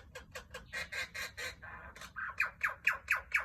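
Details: Male princess parrot making a rapid series of harsh, chattering notes, about two per second, that become louder and more strident toward the end.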